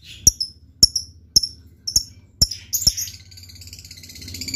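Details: Lovebird giving sharp, high chirps at a steady rate of roughly two per second, followed by a softer twittering trail over a low background hum.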